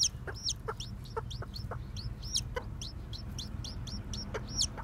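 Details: Freshly hatched Japanese bantam chicks, white with black tails, wander about and peep continuously. Clear, shrill, downward-sweeping notes come in quick, overlapping bursts, with scattered soft clicks and a low rumbling background.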